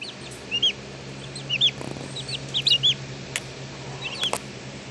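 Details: Young turkey poults in a wire-bottom brooder, peeping in short high chirps that rise and fall, several birds calling in quick bursts over a steady low mechanical hum, with a few sharp clicks.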